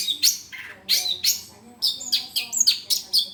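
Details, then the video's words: Cendet, the long-tailed shrike, giving a brisk masteran song of scratchy, high chirps and quick descending notes, packed closely together in uneven bursts over a faint low background hum. "masteran suara cendet"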